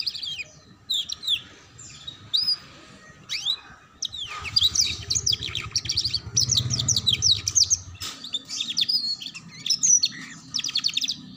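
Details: Young canaries' training song to learn ngeriwik: sweeping whistles and dense bursts of quick chips, with a low rumbling noise partway through.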